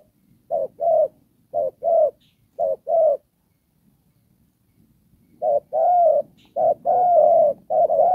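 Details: Spotted dove used as a trapping decoy, Đồng Pha style: three pairs of mellow coos, each a brief note followed by a longer one, then a pause of about two seconds before the paired coos resume more drawn out.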